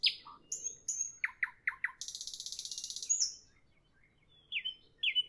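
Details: In the evening a nightingale delivers varied phrases: whistles, four quick swooping notes, a fast dry rattling trill lasting a second, a pause, then two sharp descending whistles.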